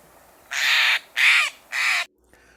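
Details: A Steller's jay gives one of its very common calls, three harsh, rasping calls in quick succession, each about half a second long, against a quiet background.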